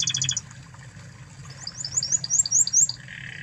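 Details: Original Spanish Timbrado canary from Spain in song, a brief high rattle, then a run of quick rising high notes repeated about five times a second, ending on a lower buzzy trill over a faint hum.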